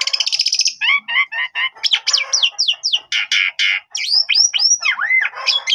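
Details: Asian pied starling in full song to trigger replies from others of its kind, opening with a rapid buzzy trill, then a dense stream of twisting whistles and slurred chattering notes.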